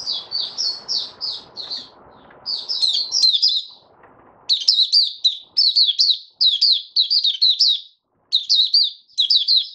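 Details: Opening song of a caged male white-eye settling his form: high warbled phrases, first over steady low rustling, then clear, loud bursts of rapid twittering with short gaps.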